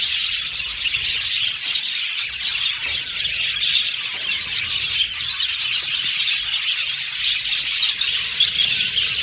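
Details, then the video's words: Flock of caged budgerigars singing and chirping; constant high, grainy warbling with quick chirps and clicks layered from many birds, fairly even in loudness throughout. "Budgies Singing And Chirping Sound"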